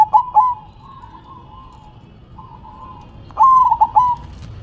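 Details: Zebra dove, or perkutut, cooing: a short pulsed phrase, two long gentle purring coos, then a loud stammering phrase with three quick breaks near the end.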